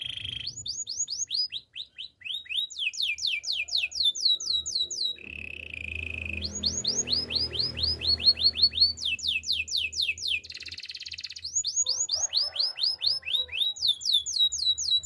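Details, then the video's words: Spanish timbrado canary singing a training song: fast repeated rolls of downward-sweeping high notes, broken by short steady buzzy trills, with a brief noisy patch midway. "Canary singing for training - Spanish timbrado song"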